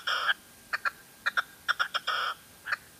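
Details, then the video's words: Female red-legged partridge from La Mancha: two longer harsh, rasping notes framing scattered short clucking calls, fairly loud against a quiet background. "Reclamo de perdiz hembra"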